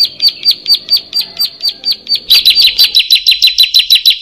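A Bar-winged prinia gives high, sharp chirps about four times a second. Partway through, a second bird joins in, and the chirps become faster and overlapping.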